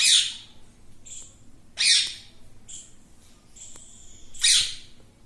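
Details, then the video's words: Talking parrot saying "mittu": loud, harsh, broadband squawk-like bursts roughly every two and a half seconds, with thinner steady whistled tones in between and a quiet background. "mittu mittu me mittu taking parrot"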